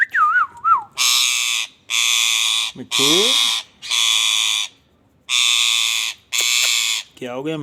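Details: Indian ringneck parakeet calling: opening wavering whistled notes, then about six loud, harsh, buzzy bursts of under a second each, with sliding voice-like tones between them.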